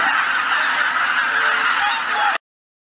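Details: Geese at Shishibana, Izunuma, Japan, on a cloudy morning before departing in several groups. A short burst of loud, overlapping honks from the flock, with a few clear nearby calls, ending abruptly after about two and a half seconds.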